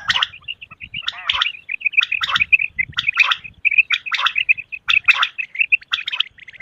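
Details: A male common quail calls, used as a quail hunting sound, with sharp, high, clipped bursts repeated about once a second over a thin, steady ringing tone.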